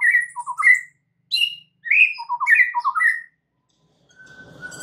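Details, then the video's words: White-rumped shama song played as a lure to make other shamas sing more often and expand their repertoire: varied whistled phrases, quick descending note clusters and high thin notes in bursts, then a pause and a faint buzzy hum with a steady tone. "PANCINGAN Murai batu untuk MEMIKAT murai lain AGAR GACOR dan TAMBAH ISIAN"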